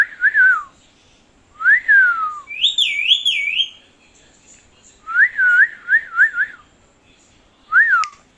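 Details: Pet parrot indoors giving loud clear whistles: several rising-and-falling whistled notes in short phrases, a higher warbling run near three seconds, then a quick string of four wavy whistles and one final slurred note, with quiet pauses between.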